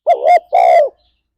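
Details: Spotted dove giving a single loud, low, mellow two-note coo, the second note longer and slightly falling, from a 'ngalas' style lure recording meant to set pet doves singing.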